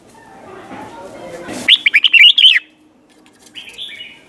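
A red-whiskered bulbul gives a quick, bubbly phrase of five or six liquid whistled notes, then a shorter, softer warbled phrase; faint background rustle before.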